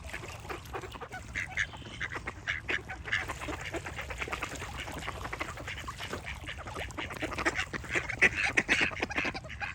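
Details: Ducks chatter nonstop, a steady stream of clipped quacks about twice per second, swelling into louder calls near the end.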